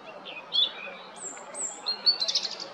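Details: Song of a European robin recorded on 13 April 2022 at Jarun in Zagreb, Croatia. It has soft mid-high warbles, then two thin, very high drawn-out whistles, ending in a rapid cluster of sharp, tinkling high notes.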